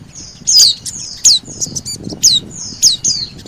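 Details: Oriental white-eye lure calls meant to draw in birds: sharp, high, down-slurred chips, some doubled, spaced irregularly about every half second over a soft, steady hiss.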